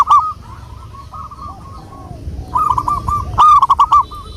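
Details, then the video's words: Lure song of a local wild zebra dove: a soft, trilling coo phrase fading out, a short pause, then a louder bubbling sequence of rolled notes over a quiet low hum. "pancingan burung perkutut Lokal alam"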